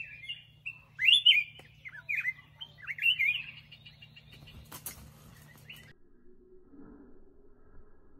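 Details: Black-crested bulbul singing several loud rolling whistled phrases at the start, then a brief rustle or flutter and a lower muffled hum after the song stops.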